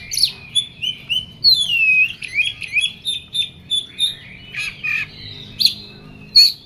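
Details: Agitated Oriental magpie-robin delivering rapid, rhythmic high whistles and squawky notes, repeated roughly every third of a second. A few louder, harsher bursts come near the end.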